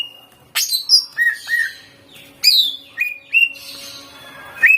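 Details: Song of a greater green leafbird in intense full-volume style, played to provoke leafbirds to sing; loud sweeping high whistles, short slurred notes and clean level whistles separated by brief pauses.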